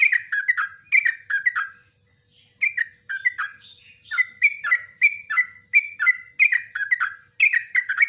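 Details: Long yellow-vented bulbul song used to tutor caged birds: rapid bubbling phrases, each note dropping in pitch, delivered in quick clusters with brief gaps, clear and loud without background noise.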